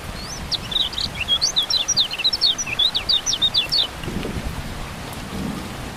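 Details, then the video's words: Rain-therapy recording of kecial kuning, the lemon-bellied white-eye: a dense four-second burst of rapid, high squeaky chips and twitters, followed by rain and soft thunder only. "Terapi Hujan Kecial Kuning Buat Burung Yang Macet Jadi Bunyi Gacor Joss"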